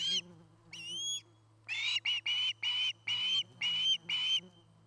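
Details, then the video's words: Osprey at a nest camera in Charlo, Montana, with a nesting pair: a thin rising whistle, then a quick series of six or seven clipped, piercing chirps, over a low steady hum. "Osprey Nest"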